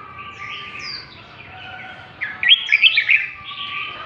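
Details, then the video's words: Red-whiskered bulbul of the northern Vietnamese type, lân tê song style: after a quiet stretch with soft background tones, a sudden bright run of five or six sharp, chirping notes, then quiet again. "Chào mào Bắc lân tê, giọng siêu chất"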